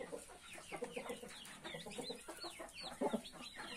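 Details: Dense chorus of high, arching peeps from 31 newborn chicks over the low, soft clucking of their mother hen, with a louder cluster of clucks near the end.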